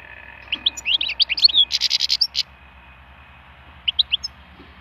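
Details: Wild European goldfinch, song stimulation: a busy twittering phrase of quick high chirps leading into a buzzy rattling trill, then silence and a few sparse tweets near the end.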